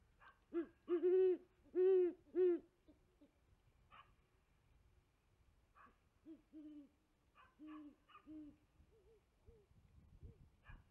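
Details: Great horned owl female at a tree nest at 5 pm, live nest camera, male in the background and possibly a second female far off; loud, deep hoots in a quick burst, then fainter hoots trailing off over several seconds.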